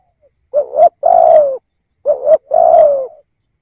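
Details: Spotted dove kept as a decoy bird to lure wild doves, giving two loud phrases. Each is a short double-peaked coo followed by a longer hollow coo that slides gently downward. No other sounds are heard.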